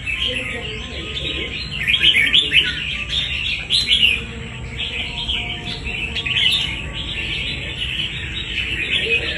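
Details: Red-whiskered bulbul, caught wild and kept for fighting, pours out dense, lively chirps and warbles in quick bursts. The strongest outbursts come near two and four seconds, with softer twittering between them.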